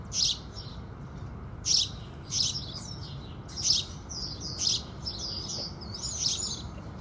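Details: House sparrows singing with the rising sun: bright, high chirps in short clusters roughly every one to one and a half seconds, some notes sliding upward near the end, over a faint low rumble.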